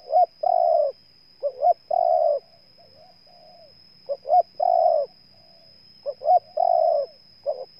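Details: From Ninh Thuận, Vietnam, a spotted dove repeats short rising doublets, each followed by a long soft coo. A quieter dove answers faintly between phrases, and a faint continuous high whine persists.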